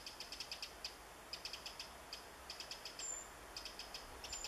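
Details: Calling Eurasian wren hunting insects in woodland on 27 July 2014: quick series of high tick notes in bursts with short gaps, two faint thin high whistles near the end.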